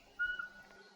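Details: Eurasian Pygmy Owl singing by day in a forest in spring, body shaking with each note: a single clear, high whistled note, held steady and level, over a quiet forest background.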